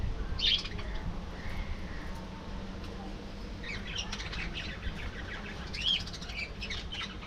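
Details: Budgerigars kept as a colony in an aviary; a sharp squawk opens, then soft mutters, followed by dense, buzzy twittering chatter from several birds and another sharp call near six seconds, over low background hum.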